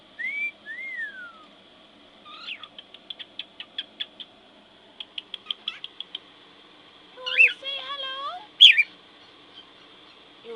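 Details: A 10-month-old male pet cockatiel on his play gym whistles, chatters in quick chirps, then imitates a word in a scratchy, speech-like voice; he says "hello" and "pretty bird".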